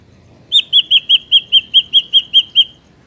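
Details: Ashy drongo sound used as a lure for trapping birds: a run of eleven short, bright, downslurred whistled notes at an even pace, about five per second, over quiet background.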